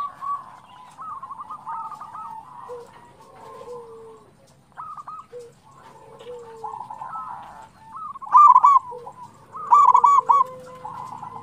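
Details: Local zebra doves singing actively, a recording meant to prompt other doves to sing: several birds overlap in soft stuttering coos near one pitch, with lower sliding notes and a few loud clipped bursts toward the end.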